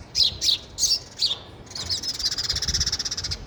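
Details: Sparrow at a feeder, eating: four sharp high chirps about a third of a second apart, then a fast run of rapid repeated chirps.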